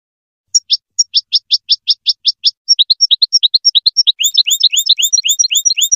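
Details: European goldfinch song used for teaching young goldfinch chicks to sing: a run of quick, evenly spaced high notes, then faster tinkling, twittering phrases with liquid slurred notes. No other sounds.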